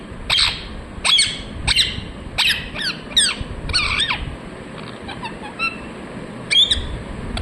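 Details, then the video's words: Repeated harsh chirps of a ringneck parrot, roughly one squawk per second at first, then softer faint notes and a last sharp call, over a mild background hiss. "Ringneck parrot Chirping sounds | Natural sound"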